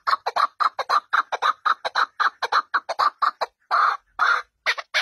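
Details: A partridge at home gives a rapid series of short, scratchy chattering notes, evenly spaced, broken near the end by a few longer, louder harsh calls, with no other sounds.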